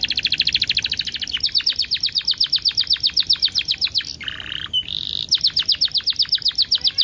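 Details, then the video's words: Lure recording of canary song, spaced by ten-second pauses to make canaries sing: a fast, rolling trill of sharp high notes broken by two short buzzy, lower bursts before the rapid trill resumes. "PANCINGAN KENARI TERBAIK DENGAN JEDA 10 DETIK LEBIH EFEKTIF"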